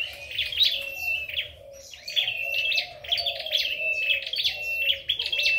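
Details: Contest singing of a red-headed flowerpecker: bright, sharp twittered phrases with an even whistled tone, separated by short pauses, and a quieter low warble running beneath.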